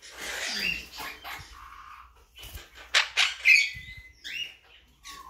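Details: A blue mutation monk parakeet gives harsh, noisy squawks, then a short clear whistle holding steady before breaking into rasping chatter, with scratchy rustling between calls.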